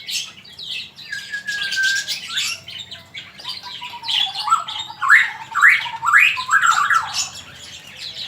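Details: Recording of a male magpie-robin, offered for tutoring birds: a long sustained whistle, scratchy high chatter, then a lively series of rising whistled flicks and warbled notes.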